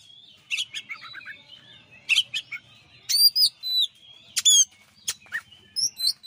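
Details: Champion Oriental magpie-robin (kacer) tutor song: varied, loud, high phrases of sharp clicks, bright upslurred whistles and rapid trilled notes, given in bursts roughly every second over a thin sustained whistle.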